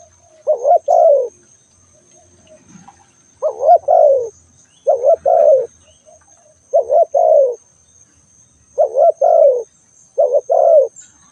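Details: Spotted dove cooing steadily, six soft double-note phrases spaced one to two seconds apart, each ending in a longer falling coo; quiet surroundings apart from a thin continuous whine.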